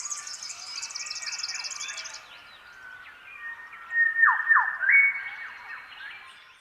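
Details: Grey shrike-thrushes singing at dawn across an open landscape, many birds sharing one newly adopted phrase; first two seconds carry a busy high chatter from other birds, then a loud clear whistled phrase with sharp downward-sweeping notes from about the fourth second.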